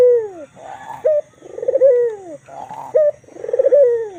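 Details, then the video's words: White black-collared Barbary dove calling energetically, giving rhythmic three-part coos of a purring swell, a brief higher note and a long falling tail, repeated roughly twice in four seconds, close and clear. "Suara burung puter putih kalung hitam manggung gacor"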